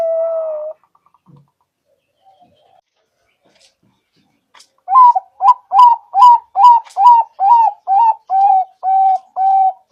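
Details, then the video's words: Perkutut (zebra dove), Bangkok type, played as a lure call for trapping. A brief steady low whistled tone, a pause, then a rapid run of about a dozen short, slightly rising cooing notes repeated steadily. "Pancingan Perkutut FULL,perkutut Bangkok,Pikat perkutut,perkutut lokal gacor"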